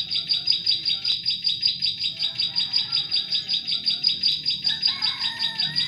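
Bar-winged prinia giving a high, thin chipping phrase, about two to three sharp notes a second in a steady run, with a fainter second bird whistling lower near the end.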